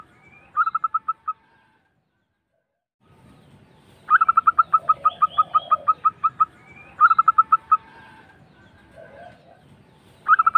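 Zebra dove giving bursts of soft, rapid rolling coos in quick series, with a quiet background hum between phrases.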